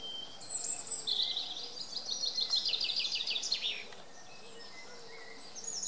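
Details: Common chaffinch song: a single high, fast trill that runs downward over about three seconds and ends in a brief flourish, with faint bird chirps and gentle outdoor ambience around it.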